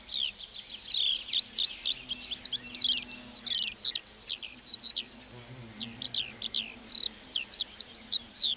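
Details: Lark in the meadow with an extended, hurried warbling song of high chirps, trills and downslurred whistles, rapid and continuous throughout.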